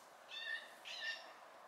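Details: Fledgling blue jays picking around give two short raspy calls in quick succession, each slightly rising and rich in overtones, against quiet background hiss.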